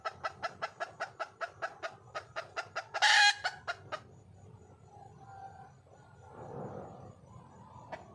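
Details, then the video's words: Wild red junglefowl hen calling for a male: a steady run of sharp clucks, about three per second, broken by one loud harsh burst, a few more clucks, then quiet low murmuring and a faint final note. "le bruit d'une poule sauvage,เสียงไก่ป่าร้องหาถู่หาตัวผู้,ສຽງໄກ່ປ່າຮ້ອງຫາຄູ່ຮັກ, poj qaib qus see"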